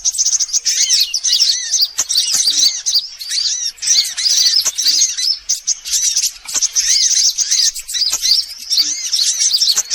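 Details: Lure recording of every kind of sunbird for attracting birds: ten seconds of crowded, high-pitched chattering and chirps, many birds overlapping, with arched whistled notes repeating steadily and a few short dips.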